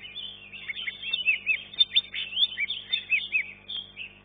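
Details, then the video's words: At a singing contest, a green leafbird that took third place in class 1 delivers crisp looping whistles and rapid chattering notes, some clear up-and-down slurs standing out among dense twitters. "KELAS KE 1 CUCAK IJO"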